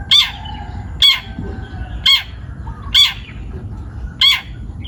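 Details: Long-tailed shrike, a young wild-caught bird, repeats a loud harsh rasping note about once a second, five times, with soft whistles faintly between.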